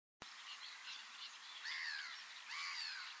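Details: Black-headed gull (Chroicocephalus ridibundus) giving two harsh, arched calls that rise then fall, about a second apart, over a steady hiss of background noise.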